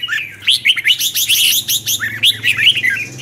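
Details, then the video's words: Red-whiskered bulbul singing in the morning as training song for other birds: quick series of loud, twisting whistled notes sweeping up and down, phrases bursting out every fraction of a second, with faint low hum behind. "Luyện chào mào hót sáng, Giọng xoắn QUÁ HAY"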